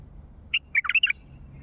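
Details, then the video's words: Wild Mandalawi bulbul giving a short, loud phrase of about five clear whistled notes, a bright upper note followed by quick dipping and rising liquid notes, all within half a second, over quiet background. "ندهات بلبل وحشي مندلاوي"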